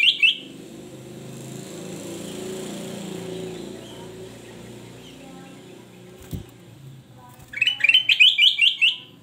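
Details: Golden-fronted leafbird, a male in good song: a brief burst of bright whistled notes, then a long quiet stretch with low rumbling background, then a fast run of sharp, repeated chirping whistles near the end.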